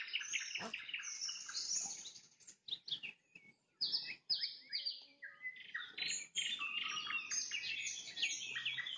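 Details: Nightingale trilling at sunset, alternating rapid staccato bursts with whistled phrases and short pauses, ending in a busy, high-pitched flourish.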